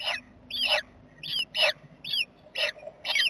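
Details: Jackdaws at their nest box on 7 May 2020, giving a series of short, high, slurred squeaky calls, each bending downward, spaced roughly half a second apart over a faint low hum.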